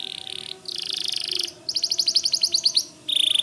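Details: A white canary sings buzzy sustained trills, then a rapid string of clipped pulsing notes, ending in another steady buzzing roll, over faint background hiss.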